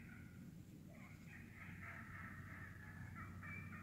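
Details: Wild turkey flock feeding in the woods, very vocal: a brief cluck, then a long, dense stretch of raspy rolling notes, purring and cutting together, over a constant low background rumble.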